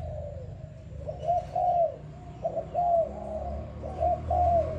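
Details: Young selected spotted dove of Malaysian type, kept about five days, calls strongly: low mellow coos in short groups of two or three, the last note of each drawn out, under a faint hum.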